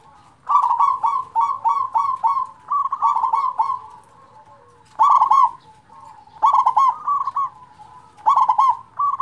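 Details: Zebra dove with a big voice, played to lure and excite silent doves: dense series of loud rolling, bubbling coos, clustered at first, then spaced phrases every second or two.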